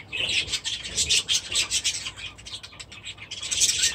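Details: Budgerigars with chicks in their aviary warble in a steady stream of buzzy, scratchy high chirps, pulsing several times a second, louder again toward the end.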